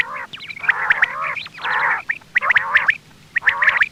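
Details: Quail calls for hunting: four loud, gravelly, nasal bursts laced with sharp high notes, each separated by short pauses.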